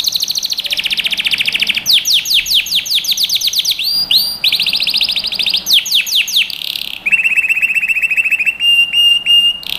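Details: Singing canary on a training recording for young birds, moving through rapid tours of sweeping notes, sliding whistles and buzzy rolls, ending in a steady low trill broken by clipped high pips.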